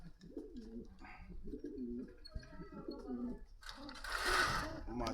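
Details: Pigeons offered for sale at a market in Meradia Bazar, Khilgaon, Dhaka, indoors; low rolling coos repeat throughout, each a short warbling phrase, with faint voices and a louder rustling burst near the end.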